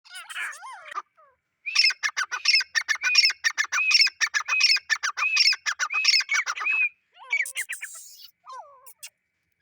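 A male grey francolin gives a loud, shrill, ringing series of repeated harsh notes, several per second, breaking off and then resuming more raggedly.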